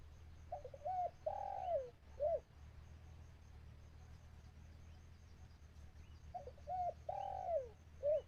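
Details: Decoy dove calling in a Thai bird-trapping outing to draw in wild birds. A phrase of two brief coos, one drawn-out quavering coo and a short closing note is given twice, separated by a quiet gap, with thin bird chirps and steady low hum.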